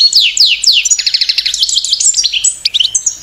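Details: European goldfinch, a female at work building her nest, pouring out fast tinkling twitters: a few descending slurred notes, then rapid trilled chips and buzzy phrases run together.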